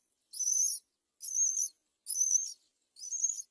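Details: Great myna nest scene, a baby on the verge of falling out while the mother does not help; four evenly spaced, high, breathy rasps of about half a second each, repeated almost once per second, otherwise quiet.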